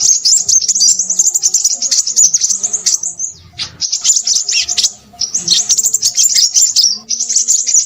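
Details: Crimson sunbird singing excitedly in a high, sibilant, rapid twitter, broken into three or four long runs by brief silences.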